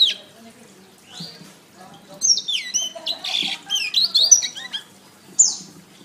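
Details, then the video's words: Canary masteran training song: quiet at first, then a lively run of high whistled slurs, rapid chattering notes and a buzzy trill, with a final lone bright note. "SUARA BURUNG - Masteran Terbaik Kenari"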